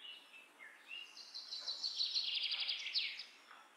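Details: Common myna producing a harsh, buzzy rattling chatter with rapid pulses, preceded by a couple of short whistled notes, over faint background bird noise.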